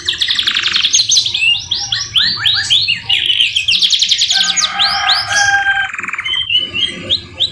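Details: Tutor recording of a canary whose song carries white-rumped shama (murai batu) phrases: long fast trills, arching whistled notes and a lower rolling section, ending in softer chirps.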